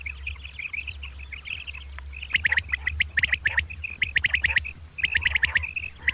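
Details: Two common quail calling in the morning: quiet even chirping at first, then from the middle loud scratchy bursts mixed with sharp high notes, over a constant low drone.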